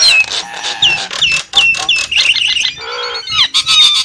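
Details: Javan myna lure call: a string of downslurred whistles repeated about twice a second, then wavering notes, a short nasal buzz and a final burst of squawking chatter.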